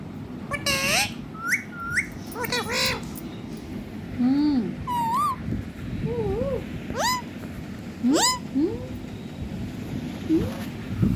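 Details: Pet ringneck parrot, singing and dancing, produces a long varied string of looping, wavering whistles and harsh speech-like bursts. Notes rise and dip irregularly throughout.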